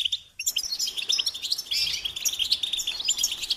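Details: Goldfinch singing: after a brief quiet start, a dense run of bright, high twittering and tinkling notes with quick trills and chirps, continuing without pause to the end.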